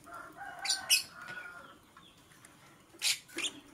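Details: Green and blue masked lovebirds in the morning, giving a few sharp, harsh, high chirps in quick bursts, with faint lower tonal calls and quiet gaps between them.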